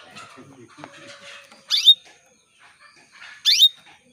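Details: Female canary calling to males to prompt them to sing. Two sharp, rising chirps about two seconds apart stand out over low murmuring background noise.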